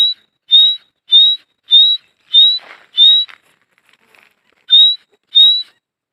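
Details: Teetar, a francolin of the dakhni type, calling loudly with short, high, slightly upward whistles. Each is backed by a rasping edge and repeated roughly every half second in a run of six, then two more after a pause.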